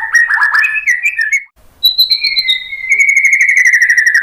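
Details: White-rumped shama singing as a lure to prompt other birds to answer: quick chattering whistled notes give way, after a short gap, to long sustained pure whistles, one high and one lower, slowly falling.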